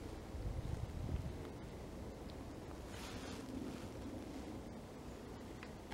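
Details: Low rumbling wind and engine-like noise with faint speech, and no animal calls.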